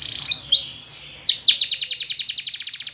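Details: Spanish Timbrado canary training song, opening with thin wavering whistles and a held pure note, then breaking into a fast, metallic rattling trill of evenly spaced clicks, with a faint low hum underneath.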